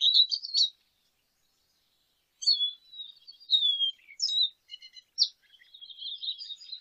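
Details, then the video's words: Lesser goldfinch singing: a short twittered burst, a pause, then a mix of clear drawn-out whistles and quick chips, softening near the end. "Jilguero Aliblanco Canto - Lesser Goldfinch Song - Lesser Goldfinch Call -Spinus Psaltria"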